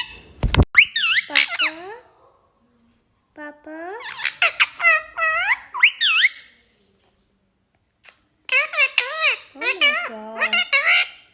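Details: Talking parrot, kept indoors, gives bursts of bright, nasal speech-like syllables with swooping pitch, then a pause of about two seconds before another clustered run of squeaky imitated words.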